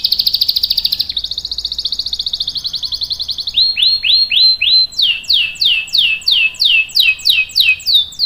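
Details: Canary with a long roll, used as a tutor for young canaries: a fast, even high trill lasting several seconds, then slower, loud descending sweeps repeated about twice a second.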